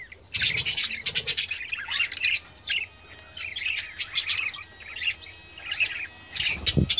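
A flock of budgerigars chattering nonstop: high, scratchy chirps and warbled twitters overlapping in quick bursts, with a couple of soft thumps.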